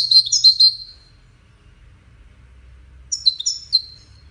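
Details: European goldfinch, one of five caged finches in a song contest, giving two short bursts of high twittering, tinkling notes separated by a pause of about two seconds, with faint low hum beneath.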